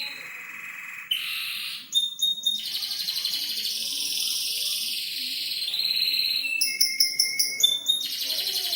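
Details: Caged canary singing a mixed phrase: soft whistled notes, a clipped staccato burst, a long buzzy trill, then sharp repeated chips at the end.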